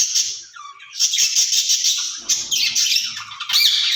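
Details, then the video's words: Two caged ringneck parrots talk to each other in hoarse, hissing squawks and scratchy garbled phrases, broken by short quiet gaps. "Speaking Parrots in Cage"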